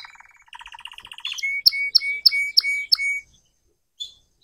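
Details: Young red canary learning to sing: a soft quick trill rises into a string of about six loud repeated notes, each a sharp click followed by a steady whistle, then stops; one faint note follows.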